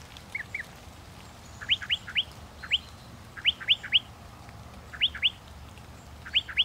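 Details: Northern mockingbird singing: short groups of two or three sharp upswept notes, separated by brief pauses, over a soft low background hum.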